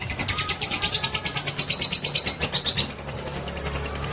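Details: Fighter lovebird, long ngekek trill for provoking other birds: a loud fast chatter of rhythmic high pulses with a ringing whistled tone, easing slightly softer toward the end.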